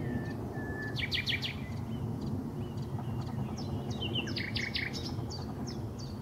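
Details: Common nightingale singing in Highnam Woods, Gloucestershire, on 20 May 2012: a low whistled note, then a rapid burst of sharp repeated chips, followed by varied scattered phrases over steady low background rumble.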